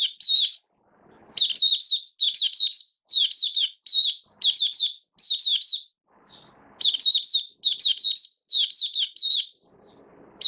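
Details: Caged oriental white-eye kept as a hobby songbird, singing in build-up form, recorded 19 September 2022: bursts of high, quick, slurred chirping notes in rapid strings, broken by short pauses, with faint low background murmur.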